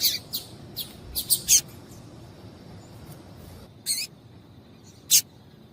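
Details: Female double-collared seedeater heard in a loose string of high, sharp chips, louder toward the end of the run, followed by two well-spaced single notes; such calls prompt males to sing.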